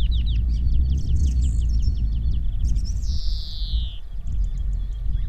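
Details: European greenfinch singing in the coastal region of the Netherlands: quick twittering notes, then a long buzzy wheeze sliding downward, over heavy wind rumble.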